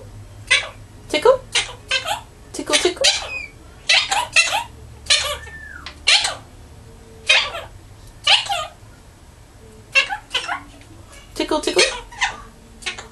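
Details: Five-year-old green male Quaker parrot, a pet indoors, mumbling to himself: a long series of short raspy, chattering, speech-like bursts, each under a second, coming in quick clusters with brief pauses between.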